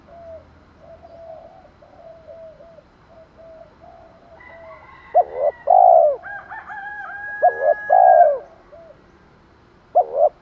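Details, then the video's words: Spotted dove decoy call in the 'thổ pha' style, meant to provoke and lure wild doves. Soft low coos give way to loud, deep, hoarse cooing phrases in the second half, with a short sharp coo closing it. "chim cu gáy THỔ pha thúc đấu dút chim bổi"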